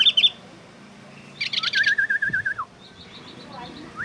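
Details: Imitating a bulbul, an Oriental white-eye gives a burst of high chirps, then a smooth undulating warble dropping at its end, followed by a soft series of thin high notes.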